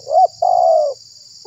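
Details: Single spotted dove phrase played as a lure for wild doves: a brief rising-falling note, a short pause, then a long smooth coo sagging slightly at its close, with steady high-pitched hiss behind.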